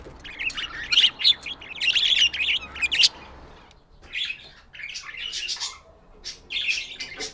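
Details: Chirping baby budgies raised at home: rapid high, scratchy twittering chirps in dense bursts, pausing briefly before more chattering calls resume.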